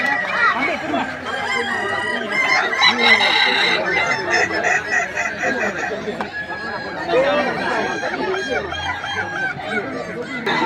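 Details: Kukuak Balenggek chickens, songbirds of West Sumatra, at a crowing contest; several long, tiered crows overlap against loud crowd chatter, laughter and cheering.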